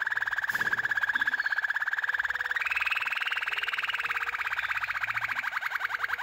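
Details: Yellow Waterslager canary delivering a long, fast rolling trill of evenly pulsed notes, steady in pitch, then stepping slightly higher midway and continuing without a break.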